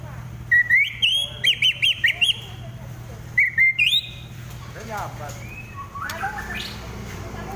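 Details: White-rumped shama during a fight, giving bursts of clear, high whistled notes in quick groups of about six, then a pause and a second burst, followed by softer scattered calls.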